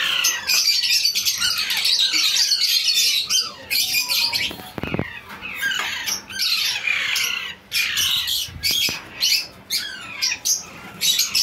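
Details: Baby Alexandrine parakeet being hand-fed, giving continuous harsh, raspy begging squawks in rapid bursts, with brief gaps and a few soft thuds.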